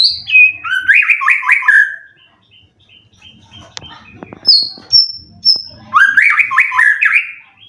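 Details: Caged white-rumped shama, twelve-time contest winner in Indonesia, gives a quick slurred whistled phrase, a quiet gap with clicks and thin high notes, then another rapid rising and falling whistled run.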